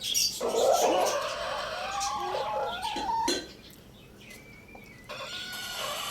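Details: Rooster at Lalukhet bird market, a Lohmann Brown, gives a rough, loud crow of nearly three seconds that wavers in pitch and drops at the end, with thin whistles and chirps from other birds afterward.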